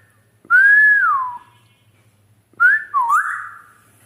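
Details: Grey parrot whistling in Dhaka, Bangladesh: a smooth, sustained tone that swells and slides downward, then after a pause a second whistle that dips and rises again in a swooping two-part phrase, over a faint low hum.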